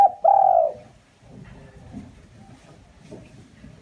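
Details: Spotted dove giving a lure call: a single long, steady, low coo that fades, followed by quiet background and the onset of the next note.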